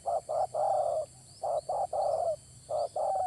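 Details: Spotted dove calling, used to lure birds for trapping: soft hollow coos in groups of two short notes and a longer drawn-out note, repeated, over steady background hiss.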